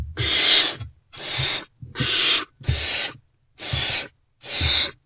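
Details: Unfed great horned owl owlets calling in their nest box at dawn as an adult comes back; six harsh hissing screeches spaced about a second apart, with low knocks and movement sounds between them.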